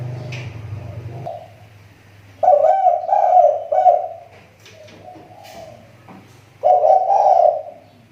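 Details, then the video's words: A spotted dove used as a lure bird, its call recovering after dropping off: a rumble at the start, then two separated bouts of husky cooing with clicks and a soft hum between. "SUARA TEKUKUR PIKAT SI TAKUR,SUDAH MULAI MEMBAIK"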